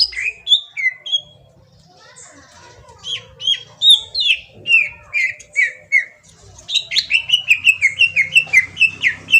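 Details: Kalimantan green leafbird lure song for making a bird answer: scattered whistles at first, then rhythmic falling slurred notes, ending in a dense rapid series of chattering whistles.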